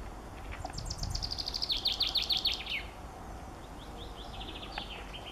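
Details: Common chaffinch singing: a rapid series of high repeated notes that speeds into a descending trill and ends around three seconds, followed by fainter distant bird notes over steady background noise.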